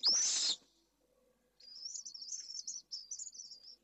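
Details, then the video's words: Pallid swift recorded by camera on 4 June 2022: one loud, harsh, broad screech lasting half a second, then after a short pause a long, thin, buzzy, rapidly trilled high scream that breaks briefly in the middle. "Vencejo pálido(pale swift)"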